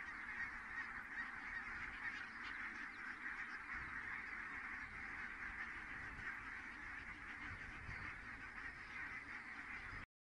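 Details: Huge gathering of geese touching down at Kulgur, Estonia, at 17:58 on 4 May 2018, a uniform distant clamour of honks that stops abruptly at the end.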